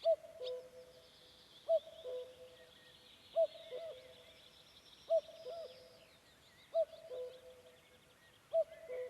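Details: Common cuckoo (Cuculus canorus) on a May evening in the Vändra forests, Pärnumaa, Estonia, repeating its low two-note 'cuck-oo', second note lower, about every 1.7 seconds, over high songbird twittering; described as having an unusual, alternative call.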